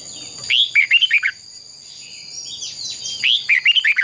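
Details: Fighting song (hót đấu) of a red-whiskered bulbul, played to stimulate birds: a run of five or six fast, liquid whistled notes, a short gap, then a similar rising-and-falling phrase, with a steady high whine behind.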